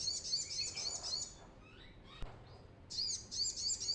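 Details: Energetic brown-throated sunbird song, used as a lure for untrained birds: a fast, high, sparkling trill, a pause with soft descending notes, then the rapid twittering resumes.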